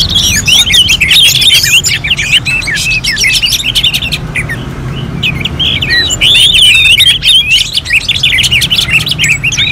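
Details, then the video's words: Orange-headed thrush in contest-simulation song. Intense, rapid warbled phrases come in two loud bursts separated by a quieter stretch of scattered chirps, with a low hum throughout. "KICAUAN ANIS MERAH SEPERTI SIMULASI LOMBA"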